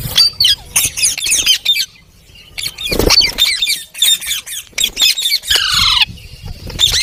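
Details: Talking parrot giving a rapid jumble of harsh squawks and chattering notes. Near the end comes a longer, downward-sliding whistled screech, with brief pauses between bursts.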